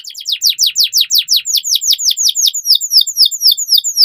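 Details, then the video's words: Canary song recorded to tutor young canaries into singing: loud, rapid down-slurred whistled notes, about five per second, slowing slightly and becoming thinner and clipped toward the end. "Pancingan KENARI Paud AGAR Cepat BUNYI || MASTERAN Burung Kenari Gacor PANJANG"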